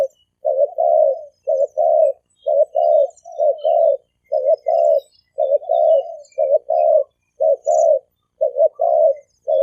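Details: Thổ kim cooing from a male and female spotted dove, used to stir up wild doves: a run of low double coos, roughly one each second, even and insistent.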